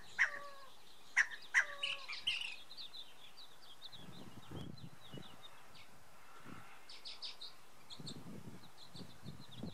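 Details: A male scaled quail squawks from a house roof on May 24, 2013, running between the roof's corners: four harsh, nasal two-part calls in quick succession, each dropping in pitch, then low rumbling thumps and faint high chirps from other birds.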